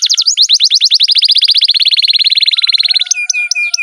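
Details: Kept canary singing a long rolling song, used as tutor and prompt for other canaries: rapid high trill of repeated notes, gradually descending and speeding into an even buzzy roll, then sharp upswept whistles near the end.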